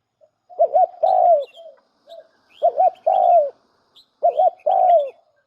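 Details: Spotted dove used to lure others as a decoy, repeating three low phrases. Each is a bouncing double note, then a sustained falling coo, about every one and a half seconds, with light background twitters from other birds.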